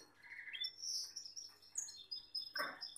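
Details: Gloster canary male beside a female gives a continuous high warbling trill with a sharp chirp near the end.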